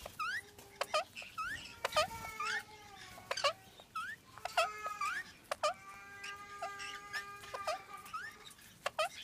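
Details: Indian ringneck parakeets during mating, pet birds: repeated harsh squawks with upswept notes, interleaved with sharp clicks and sustained nasal tones, irregular and continuous throughout.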